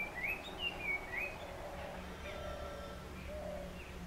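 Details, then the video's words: In the morning, a Puff-throated babbler gives four quick, clear whistled notes that slide up and down in the first second, followed by a low steady hum and faint background chirps. "Puff-throated Babbler: My Morning Alarm"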